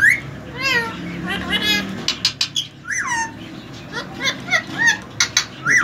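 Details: Healthy, active three-year-old male rose-ringed parakeet, semi hand-tamed, that whistles and imitates a cat and a koel; loud descending whistled notes and squawks repeated in quick bursts, while a person nearby repeats short Hindi phrases.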